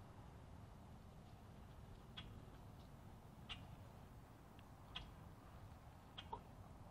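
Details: Common grackle on Florida's Space Coast, first taken for a possible boat-tailed grackle, giving four short, harsh chack notes about every one and a half seconds over a low steady rumble of wind or distant traffic.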